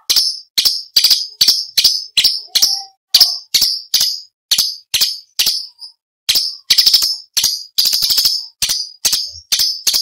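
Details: Rapid orange-bellied leafbird song used as a training model for contest songbirds: a fast string of sharp, scratchy, high notes, about two or three each second, with short pauses, some doubled.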